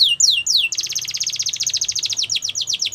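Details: Free-living yellow canary: three high downslurred whistles lead into a rapid, even trill of short repeated notes, slowing toward the end into separate descending notes.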